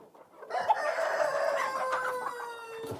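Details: On a farm in Holton, Kansas, that keeps turkeys, chickens and ducks, a rooster gives one long crow, a strained, drawn-out note that holds steady and then sags slightly in pitch over about two and a half seconds.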